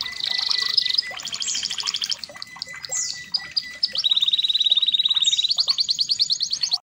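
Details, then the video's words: Red canary, a red-factor canary, singing a training song: loud sustained buzzy rolls alternating with fast descending trills and a long run of rapidly repeated notes, continuous and strong throughout. "KENARI MERLOK ,RED CANARY"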